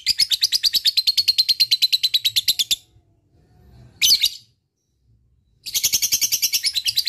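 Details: Chattering ngekek from a lovebird, meant to encourage lazy lovebirds: a quick, harsh high trill for nearly three seconds, a pause with one brief burst, then the rapid notes return.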